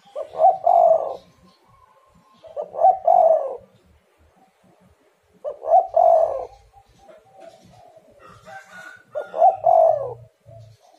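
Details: Spotted dove calling as a lure to get reluctant doves to call: low, mellow cooing phrases, two or three quick notes and then a longer drawn coo, repeated about every three seconds, with faint soft background sounds.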